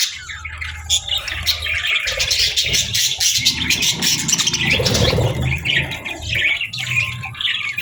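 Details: Budgerigar chatter in the morning, rapid twittering and squeaky warbles layered together, backed by a rumbling low hum and some softer mid-range noise.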